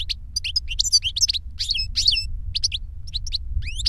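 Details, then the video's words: Older goldfinch singing to teach a younger goldfinch: a rapid, varied twitter of bright chirps, short slurred notes and rising buzzy sweeps, almost continuous for four seconds, over a steady low rumble. "Older GOLDFINCH SINGING to Teach Younger Goldfinch"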